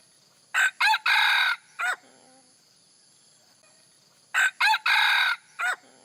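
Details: Red junglefowl crowing meant to attract wild birds: two sharp notes lead into a drawn-out harsh crow and a closing note, repeated after a pause of about two and a half seconds.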